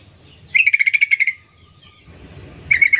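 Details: Female sooty-headed bulbul calling to males: a rapid string of about ten bubbly notes near a steady pitch lasting under a second, a quiet pause, then another burst starting at the end.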